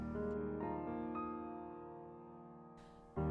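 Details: Sustained piano chords with struck notes ring out, with no animal sounds present.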